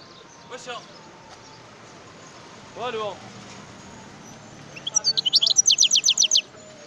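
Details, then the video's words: Wild European goldfinch: after two brief, lower buzzy sounds, a crisp burst of rapid, high, evenly repeated descending chirps forms a ringing trill lasting about a second and a half. "اسمع صوت الحسون البري"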